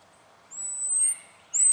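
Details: In Victoria, Australia, January 2012, a spotted quail-thrush draws out one long, thin, very high whistle that rises faintly. A second whistle begins just as the recording ends.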